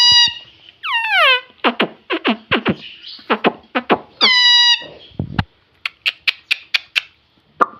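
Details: Talking pet ring-necked parakeet kept indoors, which says 'mummy', producing harmonic squawks, sliding whistles and a run of short clipped chattering notes in a small room.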